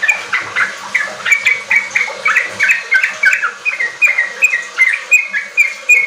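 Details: Energetic singing from a sooty-headed bulbul, used to coax young caged bulbuls into riwik and ropel song. Clear, bright, chirpy notes repeat steadily, about three each second, over a soft hissing background.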